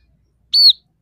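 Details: A scaly-breasted munia, from a song with imitations of house sparrow, red siskin and canary, gives one thin, high whistled note rising slightly then falling, about a quarter second long, with silence around it.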